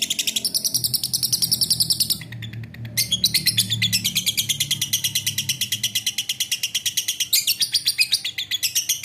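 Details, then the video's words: Lovebird giving a long chattering song: rapid, harsh, repeated chirps about seven per second, bright and high, with a brief pause near two seconds before the chatter resumes steadily to the end. "LOVE BIRD MADARA25"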